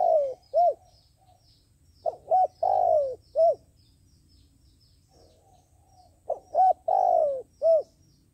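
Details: Decoy dove for dove trappers, cooing in low hooting phrases: short notes, a long falling coo and a closing hoot, repeated twice with a quiet gap between.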